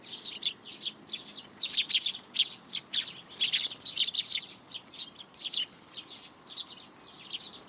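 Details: A flock of sparrows arriving at a plum tree at a Tenmangu shrine for food, June 17, 2022, keeps up dense, bright chirping, with rapid clusters of sharp high notes and a few brief pauses.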